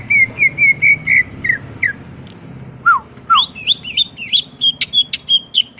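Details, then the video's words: Wild greater green leafbird song meant to provoke replies from other birds: a row of repeated whistled notes, two falling slurs, then a fast tangle of looping whistles and chips over low background noise. "pancingan suara cucak ijo full isian bikin nyaut suara burung cucak ijo alam liar"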